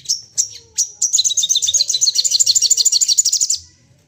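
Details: Crested jay in excited rapid-fire calling, meant to provoke calling: three separate sharp whistled notes, then a continuous high chattering rattle of about two and a half seconds that fades out.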